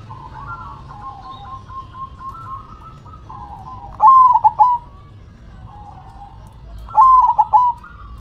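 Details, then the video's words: Zebra dove singing and shaking its head. Quieter wavering coos from other doves are followed by two loud, staccato cooing phrases, each under a second, about three seconds apart. "Perkutut BERDZIKIR, Manggung nya Geleng -geleng Kepala"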